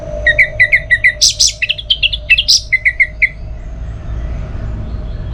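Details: Orange-headed thrush in tutor material for teler song: a rapid series of about twenty short, clipped whistles, mostly repeated on one pitch, with a few higher buzzy notes mixed in, over a steady mechanical hum.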